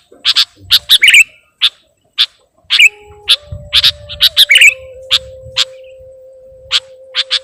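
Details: Kutilang (sooty-headed bulbul) luring sound: scattered raspy chips and a few bubbly whistled phrases, later over a steady droning tone and low rumble.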